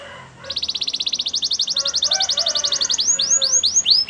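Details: Canary training song: a fast, dense pulsed trill speeds up, then breaks into looping whistled sweeps, over a faint background hiss.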